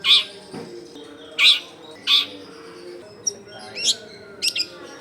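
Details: Long-tailed shrike in full, prolific song, used as a lure for wild shrikes: loud harsh high chattering bursts roughly every second, then thin clipped whistles and scratchy notes, over a faint low hum.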